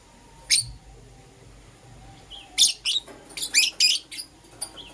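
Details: Euwing Green Opaline and Lutino lovebirds in the morning give scattered shrill chirps, one lone note, then a quick cluster of harsh high chips after a pause, with low background hum.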